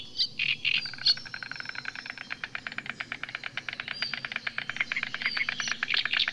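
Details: White stork (Ciconia ciconia) at Lednice park on 2 May 2019, giving a fast, dry wooden rattle of bill clatters, about eight to ten per second, sustained after a brief higher chirping start.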